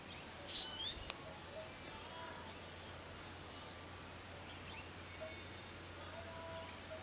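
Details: Male Yellow-bellied Sunbird preening in a front-yard tree, Bartle Frere, Far North Queensland, Australia, gives one quick burst of thin, high chirps, then a single click and a few faint high notes over a steady low hum.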